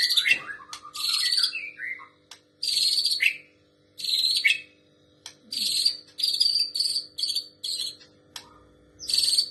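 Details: Trotol white-rumped shama performing imitated female prinia notes: loud raspy buzzing bursts repeated at irregular intervals, opening with a quick tumbling whistled phrase, over a low constant hum.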